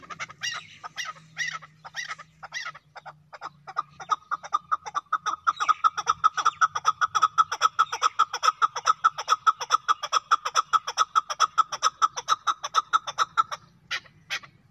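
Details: Chakor, the Chukar partridge, starts with a few spaced hoarse notes, then builds into a fast, regular chuk-chuk series of over two notes a second that lasts around ten seconds before stopping.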